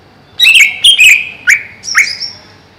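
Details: Greater green leafbird kept in a cage above a pond sings a loud, clear phrase: several slurred whistles, a sharp upward-sweeping note, then a higher drawn-out whistle, all within about two seconds.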